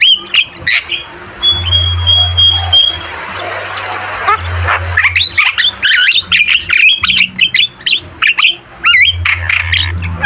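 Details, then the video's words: Javan myna (jalak kebo) singing energetically in a training recording for caged birds: a quieter start with thin whistles, then from mid-clip a run of loud, sharp squawks and rising and falling whistled notes over a low steady hum. "Masteran burung jalak kebo gacor Terbaik"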